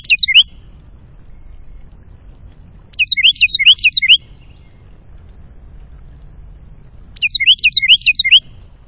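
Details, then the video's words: A wren sings at feeders beside woods and a creek below the North Georgia Mountains, NW of Atlanta, at about 1,060 ft: three short bursts of rapid, high, tinkling notes, roughly every three to four seconds, over a faint low rumble. "Singing Wren"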